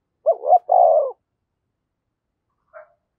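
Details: Caged decoy spotted dove giving its luring call in the 'giọng thổ' style. A single low phrase, two short rising hoots then a long hoarse coo, followed by silence and one faint short note.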